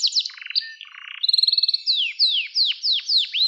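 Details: Canary song meant for training young canaries, opening with quick slurs and low buzzy rattles, then a fine high trill, followed by loud, evenly spaced downward-sweeping whistles about four per second.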